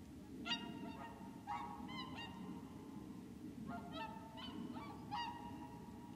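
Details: Whooper swans wintering at Lac du Der in Champagne, France, on 30 January 2014. Several birds give loud, trumpeting honks, singly and in quick pairs, about nine in all, over a steady low rumble of wind or distant noise.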